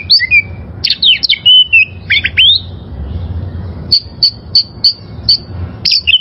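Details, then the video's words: Wild oriental magpie-robin song recorded as a training master for caged birds: varied clear whistles and sliding notes, then a run of short high notes repeated about every third of a second, with a low hum behind. "Masteran Suara Burung Kacer Liyar"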